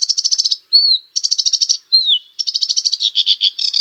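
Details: Sedge warbler song: fast rattling trills of repeated buzzy notes, broken by clear whistled slurs that fall in pitch, then faster chattering phrases; a clean, uninterrupted recording.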